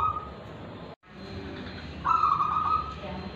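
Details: Singing zebra dove of local wild type, Tulungagung, voice in the kristal and ulem styles: a brief coo at the very start, a moment of dropout, then a bright, rippling coo phrase lasting under a second, over low hum.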